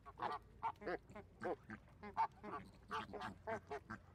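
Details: A group of flamingos makes short, nasal, goose-like honks in quick, uneven succession, some louder and closer than others.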